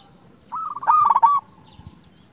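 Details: Zebra dove, a local Indonesian bird sung to provoke other doves: one sustained phrase that starts with a level coo and swells into loud, rapid, stuttering pulses, then stops abruptly.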